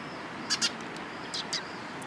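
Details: Eurasian tree sparrows flocking to food on 26 October 2017, giving sharp chirps, two close together then a few more, against a constant low rumble.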